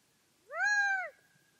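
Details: A lone drawn-out nasal note from a Gambel's quail, level and ringing with a brief rise at the start and a quick drop at the end; no other sounds.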